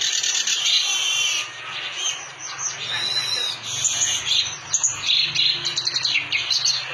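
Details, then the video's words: Clamorous reed warbler singing a long, rich medley of harsh churrs, squeaky notes and buzzy trills that briefly drops in volume before rising again, over a low background rumble. "burung kerak basi gacor super istimewa"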